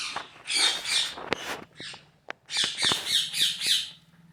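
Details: Parrot calling while playing, recorded August 26, 2023. Harsh, raspy squawks come in quick bursts of several, separated by sharp clicks and a short quiet gap mid-way.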